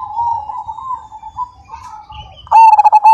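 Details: Zebra dove of the Majapahit strain with a strong "kung": quiet wavering coos for about two and a half seconds, then a sudden loud final phrase of fast pulsed coo notes.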